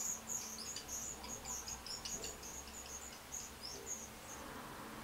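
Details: Black redstart (Phoenicurus ochruros) chicks begging for food as they are fed, giving thin, very high squeaky cheeps in quick uneven bursts, with a faint low hum behind.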